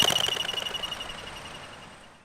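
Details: Crested pigeon taking off: wing-made alarm whistle, produced by its narrow modified eighth primary feather, warning other birds to flee danger; a fast pulsing high note throbbing about fifteen times a second, fading within two seconds.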